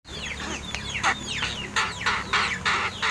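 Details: Seven-month-old captive crested mynas, hand-raised and described as learning to talk and as quarrelsome, giving harsh broadband chattering bursts with downward-sweeping whistled notes, about three per second, growing louder toward the end.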